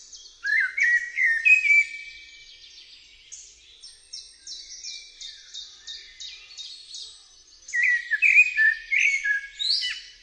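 Eurasian blackbird singing two mellow, fluted phrases that break into high, squeaky twitters, with a fainter run of thin repeated high notes between them.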